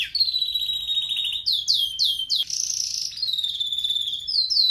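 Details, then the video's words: Red factor canary singing a training song: a loud, high, continuous run of rapid trills and rolling tours, with sharp rising whistles and a buzzy ringing phrase. "Canary most powerful song for training | Red Factor singing"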